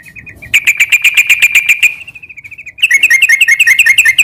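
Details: Quick ngeropel trill from a sooty-headed bulbul, aimed at moulting birds that sing little: a steady rattle of even chirps, a softer fading run, then a faster wavering burst.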